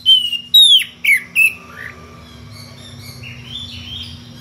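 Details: Magpie-robin, kacer, singing ngeplong to call a rival: a few loud, clear whistled notes with downward slurs in the first second and a half, then quieter warbling over background hum.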